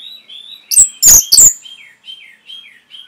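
Orange-headed thrush singing: varied high warbled phrases, rising and falling whistles, punctuated by three loud, harsh, scratchy bursts near the start.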